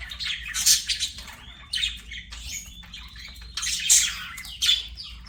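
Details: Budgerigars singing while playing, giving continuous scratchy warbling chatter mixed with squeaky chirps and brief whistled notes over a low hum.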